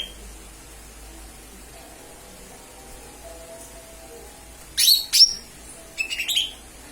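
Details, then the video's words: Lesser green leafbird calls used as a lure: after quiet, two sharp high chirps near the five-second mark, then a short cluster of high notes about a second later. "Pancingan suara cucak ijo mini/ijo mini memanggil"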